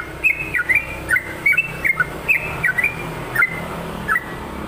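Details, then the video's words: Sooty-headed bulbul singing short bubbly whistled phrases, each a quick rising-then-falling trill of two or three clear notes, repeated about every half second to second, over steady low background hum. "SUARA TRUCUKAN GACOR"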